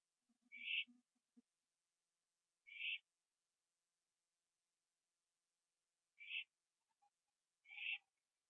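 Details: Owl finishing a gopher on a porch at night, 21 September 2011; four scratchy hissing screeches at irregular intervals, with a burst of low rapid clicking or tapping near the start.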